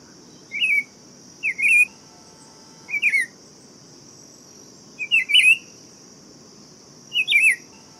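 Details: Buff-throated Saltator delivering brief melodic whistled phrases, rising and falling, five phrases spaced one to two seconds apart, with a constant high thin drone and soft low background noise behind.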